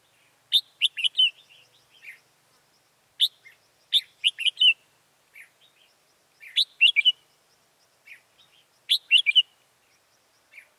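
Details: Red-whiskered bulbul decoy singing at a trapping site on 14 October 2018 to attract wild birds; short, cheerful phrases of four or five clear, quick whistled notes repeat roughly every three seconds, with softer single notes between.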